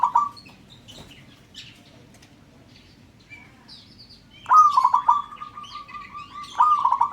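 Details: Local zebra dove calling so other birds join in; a short coo phrase, a quiet gap with scattered high chirps, then a rolling phrase drawn out into a long steady trill and a final burst of pulsed coos.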